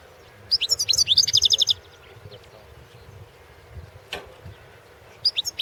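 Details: Championship goldfinch song from 2016: a European goldfinch pours out a lively, fast-tinkling phrase of about a second, pauses, then starts another twittering run at the end.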